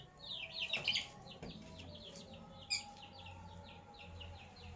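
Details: Lovebirds, sky blue opaline and cobalt, chirping in the morning: a burst of loud twittering followed by evenly spaced high chirps, with a low steady hum and a few soft clicks behind.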